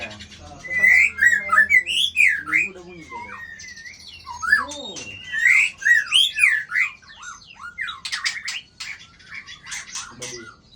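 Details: White-rumped shama with a tail of 24, flicking its tail to intimidate a rival: loud, varied whistled song of sliding, rising and falling notes, rapid phrases with bursts of sharp chattering clicks near the end; faint low hum beneath.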